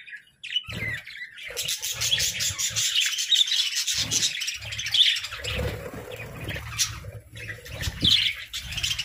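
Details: A flock of pet budgerigars chirps continuously, a dense mix of high warbling twitters and short chirps with bright notes standing out, over low thumping sounds below.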